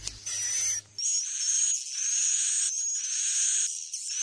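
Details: Swiftlet roosting call in the Bhayangkari style: after a second of low rumbling noise, buzzy chirps come in blocks, with a thin high whistle running steadily over them.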